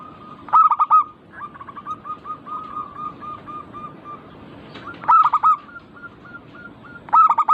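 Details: Local zebra dove, played as a lure for doves that are learning to sing or have stopped singing. Three loud bursts of rapid, bubbly coos stand apart, with a long, soft, even series of coos between them.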